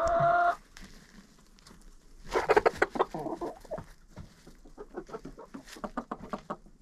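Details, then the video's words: Several chickens inside a friend's coop, recorded up close with a GoPro placed among them: a loud nasal squawk opens, then bursts of busy overlapping clucks and short rapid murmured notes, with scratching and shuffling in between. "Hanging out with Chickens in a Coop"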